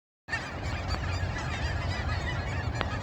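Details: Canada geese calling at sunrise: after a brief silence, a dense chorus of overlapping nasal honks from many birds, over a steady low rumble.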